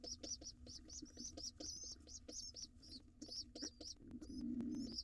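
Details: Wild pigeon nestling at a nest box camera, arriving late to breakfast with its father; rapid high, thin squeaky chirps repeat in quick bursts over soft low thumping and rustling, with a louder muffled scuffle near the end.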